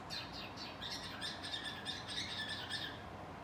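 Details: A cockatiel, hiding, sings a quick run of bright, chirpy notes, about three each second, over a faint steady hiss.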